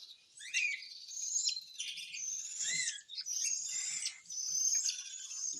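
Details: Cockatiel during hand-feeding, giving continuous harsh, raspy, buzzy begging calls with short upslurred chirps mixed in, loud and nearly unbroken over several seconds, with faint soft handling thumps beneath.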